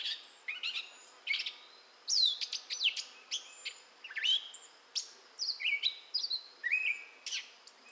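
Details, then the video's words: Gray catbird in song, southwest Michigan, May 2011, stringing together sharp chips, buzzy squeaks and quick whistled slurs, a varied, improvised-sounding sequence with irregular short breaks. "Gray Catbird Singing in Michigan"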